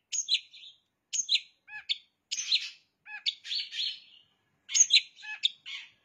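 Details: Long-tailed shrike in full song, mixing in copied bar-winged prinia phrases. Short bursts of chattering, buzzy notes come in separate clusters with brief gaps, some with lower pure whistled blips. The recording is quiet and clean.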